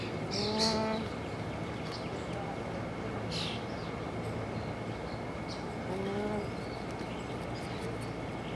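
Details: Nēnē, the Hawaiian Goose, in Hawaiʻi: two low, drawn-out moaning calls about five seconds apart, each with a stack of harmonics, over a steady rushing background noise.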